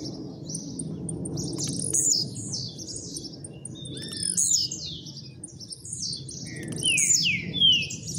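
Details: Captive male blue-black grassquit, the household's newest bird, coming out of moult, singing fast trilled phrases of high, rapid down-slurred notes in bursts about every two and a half seconds, with a steady low hum behind.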